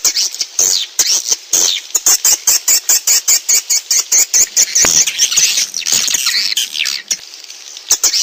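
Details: Swiftlet lure sound played to draw swiftlets in: very high, rapid clicking chirps repeated about twice a second in a steady run, blending into a busier twittering patch near the end.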